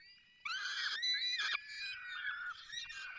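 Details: Feeding at a falcon nest in the Barycz Valley: a loud, rasping, harmonic scream begins abruptly and drifts into steadier, slightly falling cries that continue to the end.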